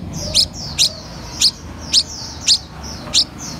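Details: Red-whiskered bulbul of an 'eagle gene' strain, practising eating cricket bellies; thin falling chirps repeated throughout, with six loud clicks spaced about half a second apart, over quiet low hum.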